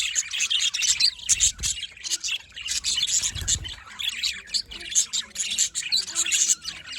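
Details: Morning chorus of budgerigars in Larkana, Sindh: busy, high-pitched twittering from several birds at once, with sharp bright chirps popping out about every second and occasional soft low thumps.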